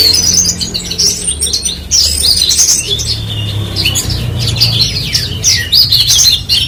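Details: Horsfield's bushlark pouring out a continuous medley of sharp high twitters, slurred whistles and trills, backed by a low droning hum.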